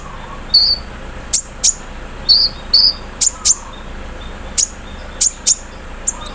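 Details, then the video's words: In the morning dew, a caged sunbird gives scattered high chirps and sharp ticks, singly or in pairs with gaps, part of its machine-like mimicked song. "KONIN KELUAR ISIAN MESIN BORDIR, CERRR SAAT DI EMBUNKAN PAGI HARI"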